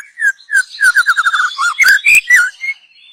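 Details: Young white-rumped shama from the forest, used as a lure: a loud fast sequence of whistled notes including a rapid trill-like burst, followed by rising and falling slurred whistles.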